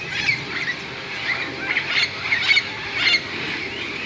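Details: Roosting parrots in large bamboo plants near a golf course in Moka, Trinidad and Tobago, as night approaches; rasping, honking squawks in uneven bursts from several birds, a steady hiss of chatter beneath.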